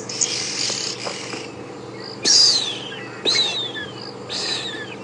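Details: African grey hornbill gives its plaintive, mournful whistles, two clear notes sliding downward about a second apart, amid oxpecker, drongo and oriole chatter, on a fresh, moist morning at Djuma Game Reserve, March 2016.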